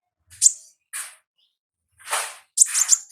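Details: Ngalas song of an olive-backed sunbird in the wild: scratchy high chips, a pause, then a fuller rasping note and a fast twittering flourish.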